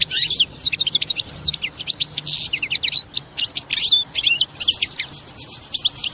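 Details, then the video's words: European goldfinch mating song, said to prompt a female into the mating posture; loud, rapid, high twittering of tinkling notes, buzzy trills and quick chirps pouring out almost without a break. "بتبتة بعد سماعها تتخد الأنثى وضعية التزاوج+صوت التزاوج goldfinch chardonner hason"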